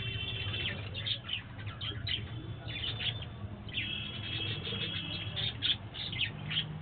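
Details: Budgerigars in an aviary colony chatter with rapid, scratchy chirps and warbles over a low background hum.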